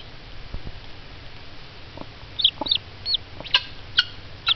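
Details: Hen excited by peeps coming from a hatching egg; quiet start, then sharper clucks and a few high downward peeping notes in the second half.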